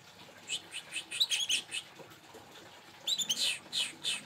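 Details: Local Indonesian canary, a young bird kept as a hobby pet and fed vegetables during its moult, giving soft, faint twittering phrases: brief chirps in two bursts separated by a quiet gap, over low background hiss.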